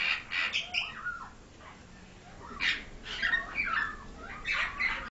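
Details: Pied myna raised in captivity; scattered mixed calls, harsh squawks with a few bending whistled notes, separated by quiet gaps.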